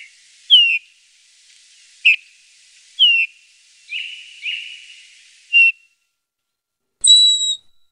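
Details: Eurasian bullfinch uttering clear piping whistles, several sliding downward, spaced irregularly about once a second, followed by a higher, thinner, steady whistled tone at the end.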